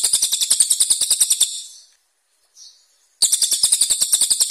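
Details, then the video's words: Cililin song recorded as training material for contest songbirds, in a rough, sharp 'tembakan' style: rapid, very high buzzy notes repeated about three times a second, a pause near two seconds, then the fast series resumes. "CILILIN GACOR tembakan kasar tajam"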